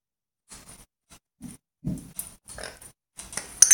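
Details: African grey parrot indoors imitating other animals: short gruff grunting bursts resembling a pig's oinks, repeated irregularly over a few seconds, with a person's voice nearby.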